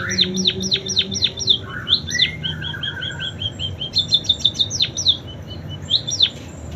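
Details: Munia mimicking canary song: rapid high descending whistled notes, a lower warbled phrase, a stretch of quick soft repeated chips, then a bright fast trill and scattered sweeping notes; low rumble beneath.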